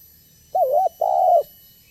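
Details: Spotted dove of the banggo kind, an eager caller used to entice other spotted doves to sing and come close; a wavering double-dipped coo is followed by a longer, steady, gently falling coo, both deep and mellow.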